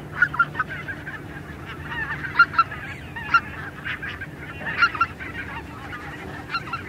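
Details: Greater white-fronted geese, a small group in flight, give quiet overlapping yelps and squeaky honks in loose bursts, with a low background hum underneath.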